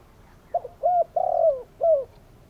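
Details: Single phrase from a calling spotted dove: soft clipped note, round coo, long quavering coo that drops in pitch, and a last falling coo. Quiet background.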